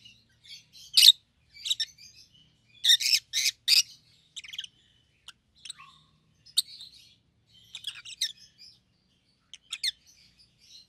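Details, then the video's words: Rosy-faced lovebird pair, yellow and green, red-headed, in captivity: a rapid triple of harsh screeches early on, then ongoing softer chatter of scratchy chirps and squeaks. "Lovebird's Sounds - Lemon & Melon - Rosy-faced Lovebird"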